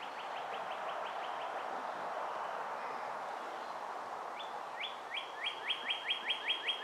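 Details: Two juvenile Bald Eagles at the Ft. Hunt nest on May 23, 2015: a soft string of high chirps, a pause, then a louder, accelerating series of sharp piping notes against steady background hiss.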